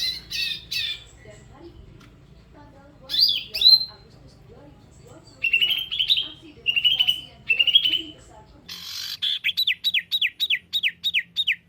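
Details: Bird song in the 'tembakan jitu' masteran style: scattered sharp chips, then rising whistled notes in three similar phrases. It ends with a fast series of clear downslurred whistles.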